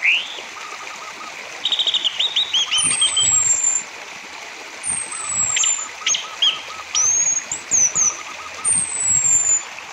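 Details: Orange-headed thrush song used as a lure to prompt other thrushes to sing, for both silent and actively singing birds: varied phrases of sharp high descending whistles, rising notes and quick chattering runs, over a steady rushing, stream-like background hiss.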